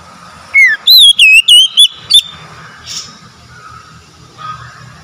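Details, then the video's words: Oriental magpie-robin song played to a stressed, mute bird: a downward-sliding whistle opens a rapid string of loud, looping whistled notes, then quiet with faint background noise. "PEMULIH KACER SETRES BISU MACET BUNYI LANGSUNG GACOR"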